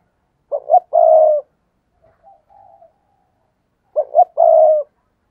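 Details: Cooing of a decoy spotted dove used to lure wild doves: two loud, mellow phrases, each a short double note followed by a long, even, throaty coo, with a softer low coo between them and silence around.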